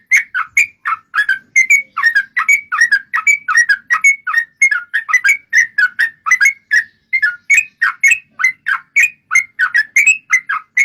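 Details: Sooty-headed bulbul in lively song, used as a lure to get other bulbuls singing: quick, loud whistled notes of two or three tones, repeated about three times a second without pause over a quiet background.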